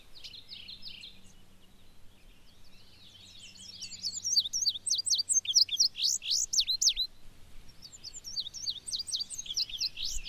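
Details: A male Indigo Bunting sings on his territory in a regenerating clear-cut, harvested a couple of years earlier, in Maine. Bright, high, paired notes in quick sweeping phrases, with a faint low hum early on; another unidentified call is possibly in the background.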